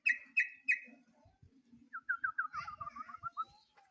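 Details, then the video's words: Sooty-headed bulbul singing actively while calling a rival: three loud buzzy notes, then a quick run of about ten short, bubbly, downslurred whistles in a steady string, with faint low rustling underneath. "BURUNG TRUCUK GACOR MANGGIL LAWAN"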